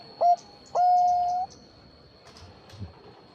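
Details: Bangkok zebra dove used as a lure for other zebra doves: a single short clipped note followed by one long steady coo lasting under a second, then low background rustle and a faint continuous high tone.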